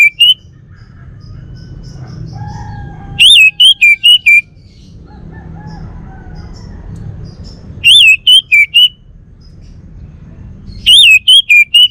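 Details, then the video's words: Male Bali orange-headed thrush, a home bird in North Bali's Singaraja, repeats short rapid phrases of four or five sharp whistled notes about every four seconds against a quiet background. "Kicau Burung ANIS MERAH Bali Jantan"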